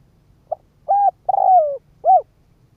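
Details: Decoy spotted dove calling to draw in wild doves, giving one brief low note followed by three mellow coos, the longest sliding downward at the end, clean recording with little background noise.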